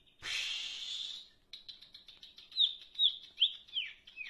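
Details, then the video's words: A burst of rustling noise opens, then a leafbird gives a fast buzzy trill followed by several sharp, downslurred whistled notes repeated about every half second. "cak ijo gacor,darderdor"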